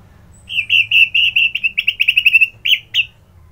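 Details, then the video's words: ['Orange-headed thrush singing in the morning in Bali: an accelerating chain of short, sweet whistled chirps, about fifteen in quick succession, then two separate notes, over a soft hum.'] "Merdu Kicauan ANIS MERAH Gacor"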